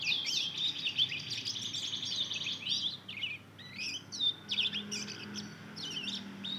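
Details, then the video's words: Two-month-old Mozambique canary × canary hybrid learning song: a loud, busy warble of high chattering notes and trills, dropping to scattered looping chirps, with a soft low hum behind. "Anakan burung mozken hasil silangan mozambik dan kenari baru ngeriwik belajar bunyi"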